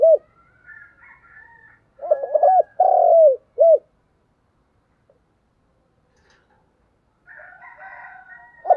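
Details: Decoy spotted dove cooing insistently. One clear burst of low, throaty coos with short hooked end notes. Fainter, higher chattering and chirping sounds come before and after it.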